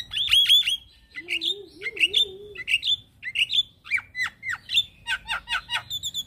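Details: Singing actively and nodding, a Black-winged starling gives loud, varied phrases of sharp whistles, chatters and metallic squeaks, each note bending up or down, in quick bursts, with a faint wavering low hum briefly in the background.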